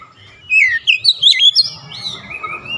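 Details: Short Oriental magpie-robin phrase meant to rouse a stressed bird: a descending whistled slur followed by several quick bright chirps, ending in soft thin sustained whistles over a low hum.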